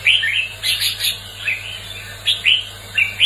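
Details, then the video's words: Red-whiskered bulbul in competitive song: loud, clear warbled phrases roughly every half second, mixing sweeping whistles with sharper high chips, over a low steady hum. "Tiếng chào mào hót đấu kích bổi lên lửa, luyện chào mào sổ giọng hót đấu căng"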